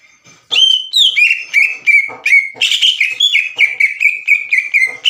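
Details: Vocal green leafbird whose lure song is meant to provoke untrained leafbirds: lively chain of loud whistled notes, some slurring downward, with a harsher burst in the middle before the quick whistles resume.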